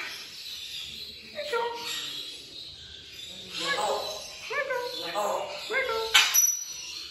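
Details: African grey parrot talking in bursts of word-like syllables, with stacked, voice-like tones that drop in pitch at the end of each utterance, separated by short pauses and a faint high background hum.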